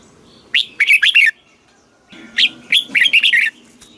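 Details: Southern-style master song of a caged red-whiskered bulbul from Thailand, played to rouse and teach birds; two bubbly, chattering phrases of five or six fast notes, about two seconds apart.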